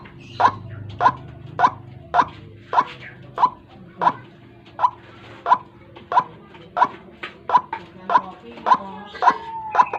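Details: White-breasted waterhen lure sound for attracting birds in the morning, with single short croaks repeated almost twice a second, evenly spaced and of similar loudness.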